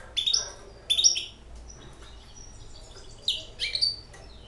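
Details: A six-month-old hybrid European goldfinch sings short phrases of bright, sweeping chirps, two quick bursts, a pause, then another cluster of high twittered notes against a quiet background.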